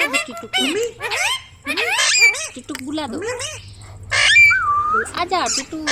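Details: Ringneck parrot kept as a pet, talking; a run of gliding, squeaky voice-like syllables and wavering whistles, with a pause, then a louder burst and a long drawn-out tone.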